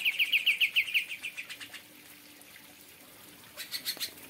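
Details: Caged Greater Green Leafbird (cucak ijo) singing in an aviary in kapas tembak style: a fast run of bright, slurred notes, about seven per second, fading out, then a few sharp high chips after a pause.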